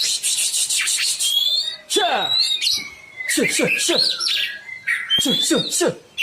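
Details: Oriental magpie-robin (kacer) sound used as a lure for birds that will not sing: loud harsh rasping chatter with repeated down-sweeping strokes and a few thin rising whistles.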